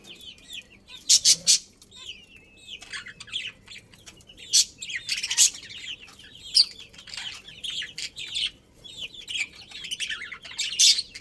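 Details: Breeding pair of pet budgerigars chirping in a dense, high, scratchy chatter, with sharp loud bursts near the start, middle and end and softer warbled twitters between.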